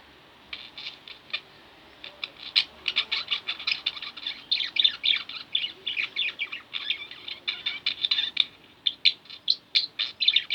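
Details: Two pet budgerigars kept at home, giving rapid, continuous chirping and chattering: dense bursts of short, bright notes tumbling over one another, some squeaky and some scratchy, with no other clear sounds.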